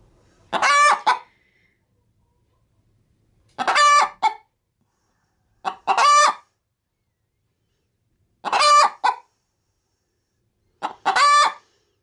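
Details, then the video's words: Pet hen getting ready to lay an egg inside a chicken-feed bag, cackling when approached: five loud harsh squawking notes, each with a short lead-in cluck, spaced about every two to three seconds, silence between. "Pet Hen Picolina making funny sounds (Gallina Picolina haciendo sonidos graciosos)"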